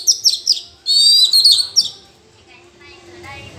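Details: Oriental magpie-robin dueling in the forest: a couple of seconds of rapid, rich high warbled phrases and trills, followed by quieter background sounds.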